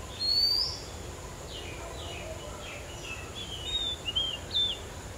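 An Oriental magpie-robin sings a bright, high whistled phrase. Softer down-slurred notes follow, then a few sweet whistles. A steady background hiss runs throughout.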